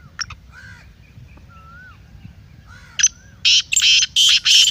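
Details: Black francolin voice for exciting a kept bird into calling: faint whistles and chirps of other birds at first, then a run of four loud, grating, rasping bursts in quick succession near the end.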